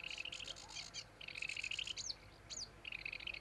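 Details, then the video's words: Sedge warbler, Acrocephalus schoenobaenus, singing a fast chattering song of dry repeated notes and trills broken by short rising whistled slurs, with brief pauses between phrases. "Камышевка-барсучок — Acrocephalus schoenobaenus"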